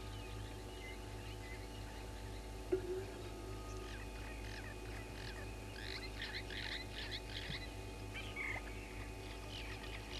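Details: Morning at a waterhole on Djuma Game Reserve, Sabi Sand, South Africa, in late August: a fork-tailed drongo gives a run of short, clipped, metallic notes in quick succession, then a single thin whistle, all over a low constant hum from a fixed camera.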